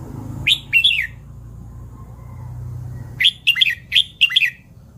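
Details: Red-whiskered bulbul, kept as a cage bird, singing short bursts of rich, bubbly whistled phrases, two notes at first, then a quick run of five after a pause; low steady hum beneath.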